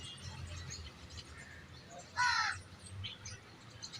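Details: Common myna, a bird of the subcontinent that haunts house courtyards and kitchens: one harsh, croaky, harmonic burst of about a third of a second midway, over faint chirps of other birds and low background hum.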